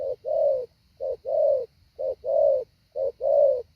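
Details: Trained decoy spotted dove, hạ bổi style, repeating a soft low coo pair, a quick note and a longer rounded one, four times in a steady rhythm.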